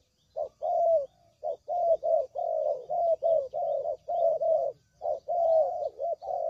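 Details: Spotted dove coos played as a trapping lure: a busy sequence of short, low, rounded notes, nearly fifty per minute in uneven clusters, with faint high twitters behind.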